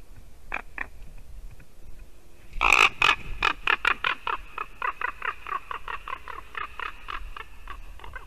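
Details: Ravens at a Latvian white-tailed eagle nest, winter morning, female eagle present: a few soft calls, then a loud burst breaking into a fast, even series of dry knocking notes, about four per second, like a creaking hinge.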